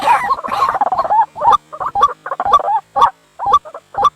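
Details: White-breasted waterhen call, played at night as a trap lure: a dense, jumbled burst of harsh squawks opens, then evenly spaced clusters of nasal honks follow, each led by a dry click, about two per second.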